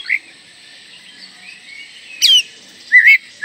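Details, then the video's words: Oriental magpie-robin singing energetically, used to coax young birds to sing quickly; a short note, then a sharp descending whistled sweep and a rising looped whistle close together, over continuous high hiss. "PANCINGAN KACER MUDA AGAR CEPAT GACOR"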